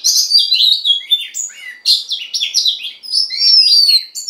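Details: Female Oriental magpie-robin song meant to stir a male, a dense continuous warble of varied chirps, slurs and twitters, ending in a long clear falling whistle.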